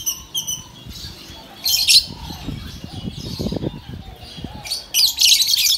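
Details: A yellow lovebird gives harsh, high chirps and squawky bursts in quick irregular bouts, with soft rustling and low thumps between.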